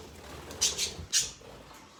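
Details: Male parrot giving three quick, harsh, high squawks in about half a second, the last one loudest, against a quiet room.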